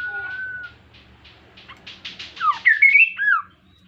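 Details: Kaso-kaso bird, an insect eater, sings eagerly to draw other birds into song. A level whistle gives way to a run of short buzzy notes, then a loud twisting phrase of slurred whistles.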